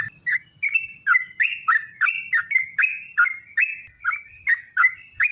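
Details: Sooty-headed bulbul song used as a lure to draw other bulbuls into singing: a steady string of fluty, chirpy notes repeated about every third of a second, each note sliding upward then dropping.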